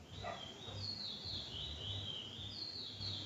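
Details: Bullfinch in Trinidad sings a soft, continuous high warble of gliding whistled notes, partly masked by a steady low hum and background noise.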